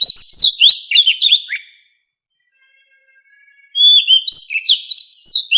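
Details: White-rumped shama, wild-style song used to train captive birds: loud clear whistles with quick slurs and buzzy notes, a two-second pause, then a new phrase of repeated rising and falling whistles.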